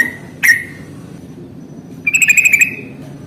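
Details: Yellow-vented bulbul singing ngalas fighting style to coax lazy birds into song: a single sharp whistled note, a pause, then a quick buzzy trill of pulsed whistles.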